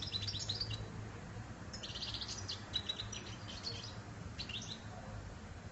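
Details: European goldfinch delivering lively song phrases: clusters of rapid, high tinkling twitters and short buzzy trills separated by brief pauses, with a faint low hum in the background.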